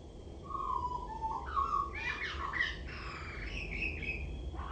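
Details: Common blackbird on a rain gutter singing: a mellow low whistled opening, then a scratchy, jumbled twittering flourish of higher notes, with constant low rumble behind.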